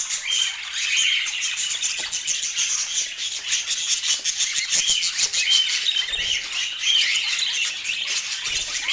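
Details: A long stretch of budgerigar twittering: continuous fast, buzzy chatter with scattered brighter whistled notes from many birds.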